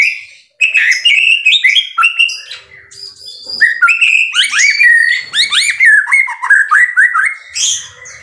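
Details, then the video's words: White-rumped shama in full, lively song: fast whistled phrases and chips, then a run of bouncing, downward-slurred notes mixed with high buzzy flourishes. "MASTERAN MURAI BATU SUPER GACOR"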